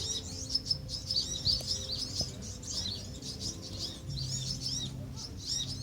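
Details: Van Hasselt's sunbird colony on Pulau Perhentian, Terengganu, Malaysia, June 2017; many rapid high, thin chirping notes overlapping in bursts, with a couple of sharp clicks and low background rumble.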